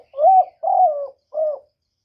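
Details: Low, mellow coos from a spotted dove: two long, steady coos run nearly together, then a pause and a shorter third coo. The recording is clear, with no other sounds.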